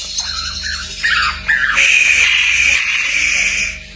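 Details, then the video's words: Greater green leafbird masteran song, full isian style: short descending slurred notes give way to a long sustained, rich high warble with a bright whistled thread, accompanied by a low steady hum. "masteran cak ijo full isian"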